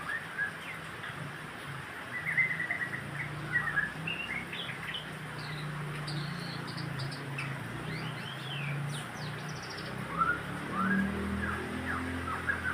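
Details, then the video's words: White-rumped shama song played to stimulate other birds to sing: varied whistled and chirped phrases with quick rising and falling slurs, over a steady low hum and background noise. "kicaun murai untuk merangsang agar burung gacor"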